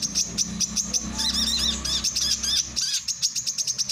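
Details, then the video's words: Male brown-throated sunbird, for training and luring birds: quick high ticking chirps, then a dense burst of arched, warbling notes in the middle, then back to evenly spaced sharp chirps; low background hum. "SUARA BURUNG KOLIBRI KELAPA JANTAN"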